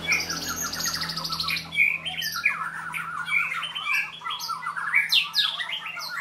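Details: A white-rumped shama during training and sparring delivers harsh, squawking rattles and rapid chattering bursts, with a low hum in the first half.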